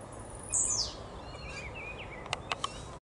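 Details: Blue-black grassquit (Volatinia jacarina), song.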